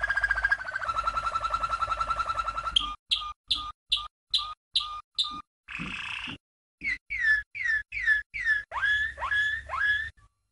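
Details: Malinois canary, a 1997 champion, in tutoring song: an extended rolling trill, a series of evenly spaced short notes, a brief buzz, then repeated upward-sweeping whistled notes.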